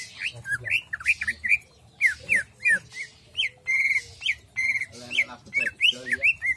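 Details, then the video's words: Greater green leafbird in jamstrok song, pouring out a busy run of short bright whistled slurs, some rising and some falling, broken by brief pauses and rough scratchy notes, over a low steady hum. "cucak ijo jamstrok"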